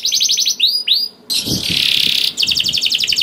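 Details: Canary song used to trigger singing in other canaries: rapid chip series, two slurred whistles, a short gap, a long harsh buzzing roll over faint low rumble, then quick repeated notes.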